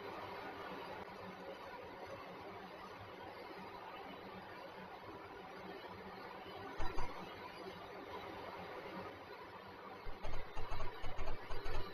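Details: Steady low rumbling noise with bursts of knocking or clicking near the middle and end, and no animal calls.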